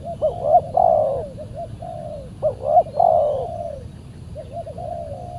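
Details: Wild spotted dove (tekukur), described as very fierce and aggressive, responding to a decoy on a Saturday trapping trip; repeated phrases of quick hiccuping notes followed by long mellow falling coos, three sequences, steady low background rumble.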